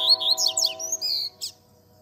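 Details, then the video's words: Double-collared seedeater singing the tui tui zel zel song style, used to teach young birds to sing: fast high whistled and buzzy notes sliding down and up, ending in a short burst, over a steady low humming tone. "Encarte Coleiro Tui Tui Zel Zel Cantando Ao Som Da Natureza"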